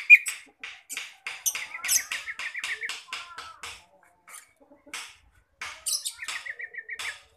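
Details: Oriental magpie-robin lure recording in ngeplong style; quieter, busy run of short chirps and clicks mixed with repeated trilled notes, with brief pauses between bursts.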